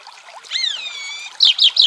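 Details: Chalk-browed mockingbird song over trickling water: a drawn-out downward-arching harmonic note, followed by three sharp, rapid chirps.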